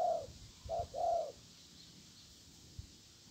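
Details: Wild spotted dove with a good voice, caught up in trapping against a weak decoy: one low coo, a short coo and a longer rounded coo, then near silence.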